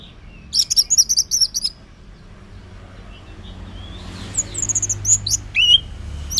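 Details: Orange-headed thrush singing at morning time as a lure for males that stay silent; a rapid high twittering phrase, a pause, then softer varied whistles and an upward-sweeping note.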